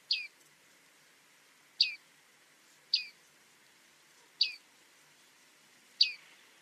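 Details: Bearded reedling, also called bearded tit, calling: short bright metallic notes near 3–5k, each sliding downward, repeated five times at irregular one-to-one-and-a-half-second intervals over a quiet background.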